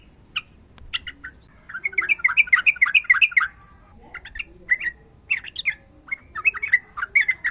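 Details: Sooty-headed bulbul giving long rapid 'ropel' song: a few scattered chirps, then a fast tumbling run of liquid notes, followed by broken groups of bubbly whistles over a faint low hum.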